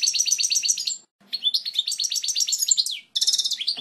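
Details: Strong, clear original song of a European goldfinch, meant for teaching chicks: quick repeated twittering notes, a short break near one second, more rapid tinkling trills, then a harsh buzzy burst at the end.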